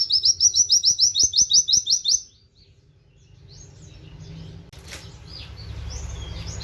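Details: Rapid canary-style 'wit wit' series from an oriental white-eye, used to train other birds: about ten crisp, high repeated notes over two seconds, then faint distant chirps over a low background hum.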